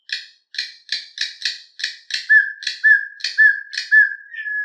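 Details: Campo troupial singing in the canto mateiro style: a run of about eight harsh, rasping notes repeated quickly, then a series of clear, steady whistled notes at one pitch, with no other sounds.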